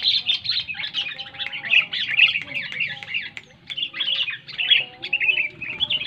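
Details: Sooty-headed bulbul, a loud song used to prompt quiet bulbuls into singing: dense, chattering, bubbly phrases run almost without pause, with a faint low rumble and thin steady tones underneath.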